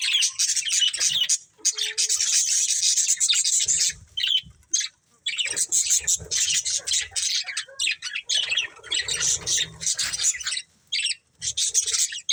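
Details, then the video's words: Family of pet budgerigars in noisy chatter: long stretches of harsh, high squawking and rapid chirps, broken by short pauses, then resuming in dense overlapping bursts. "Cute Budgies Chirping Sounds"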